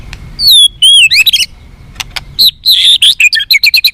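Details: White-rumped shama song used to make captive birds more responsive and fighting: rich slurred whistles and sweeping high notes, then a rapid stuttering sequence of short repeated notes.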